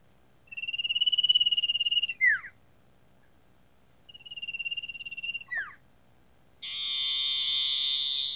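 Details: Sooty-headed bulbul, a training recording for captive birds: two bursts of fast, even pulsed trilling, each closing with a steep falling whistle, then a long steady buzzy rasp.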